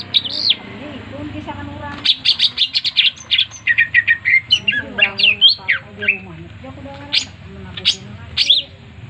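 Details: Cucak ijo, a green leafbird, in lively melodious song: a sharp opening note, then rapid bursts of squeaky, buzzy and whistled notes separated by short pauses, with a faint low hum behind.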